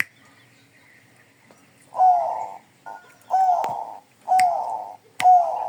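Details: Zebra dove of the Bangkok type cooing after a quiet start; four rolling, mellow phrases follow about a second apart, each with a brief rising lead note, separated by crisp snapping clicks.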